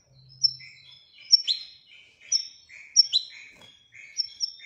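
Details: Moroccan goldfinch of the Widaniya singing style giving spaced, sharp, high call-like notes and short twittering snippets about once every second.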